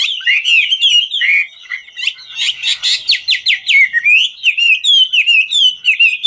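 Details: A ngũ trường hwamei dances while delivering a rich whistled song: wavering warbles, then a burst of rapid harsh repeated notes, then steady rolling whistled phrases repeated several times a second.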